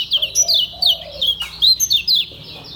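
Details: Kecial kuning Lombok, a caged white-eye, sings ngejos: a string of bright, high, downward-sliding notes about every quarter second, over a soft lower whistled phrase.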